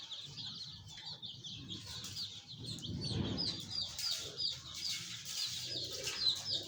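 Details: A group of colourful chicks giving thin, high cheeps, fainter and scattered among shuffling and low rumbling noise, with a brief burst of broadband noise near the middle.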